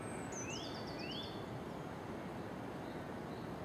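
A nuthatch gives a quick run of thin, high notes and two rising whistled sweeps in the first second and a half, over a steady roar of traffic-like noise.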